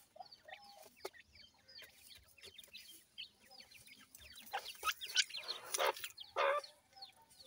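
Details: Grey francolin chicks while feeding: a stream of thin, high peeping chirps, each a quick rising or falling note, fills the first half, then louder clicks and rustling bursts take over.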